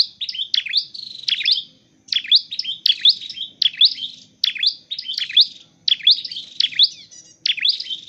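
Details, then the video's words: Dark-necked tailorbird, kept for training and trapping, repeating rapid sharp high chirps in tight groups of three or four, almost continuous with short breaks, against a quiet low background. "chim sâu đầu đỏ"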